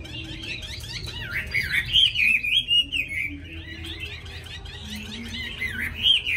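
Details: Hwamei kept in a cage, described as a tame bird with a forest-type voice that starts singing the moment it is hung up, pouring out rapid looping whistles and trills, many bursts rising and falling over six seconds.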